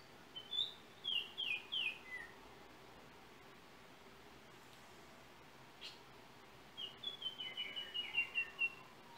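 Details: Yellow oriole (Icterus nigrogularis) of Trinidad singing two bursts of clear, quick whistled notes that step slightly downward, several seconds apart, over a steady background hiss.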